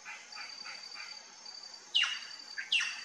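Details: Plush-crested jay at a feeder: soft repeated notes, then two loud, sharp, downward-sweeping calls under a steady high thin whine from insects.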